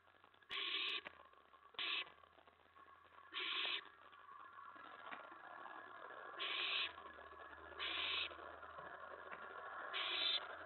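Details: Owl at the nest at 4:46 AM, May 15, 2017, during a mouse delivery: six short raspy hissing bursts at irregular intervals over a constant low mechanical hum and background noise.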